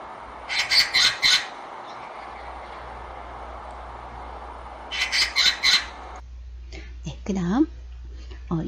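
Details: Oriental magpie in a city, perched on an antenna with another, giving two bursts of harsh, rasping chatter, three or four grating notes each, over a low hum, followed by a man speaking.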